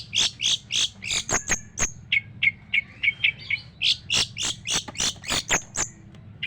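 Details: Long-tailed shrike singing full harsh song: fast sharp chips and squeaky notes at about three per second, broken by a softer run of lower twittering, over a low steady hum.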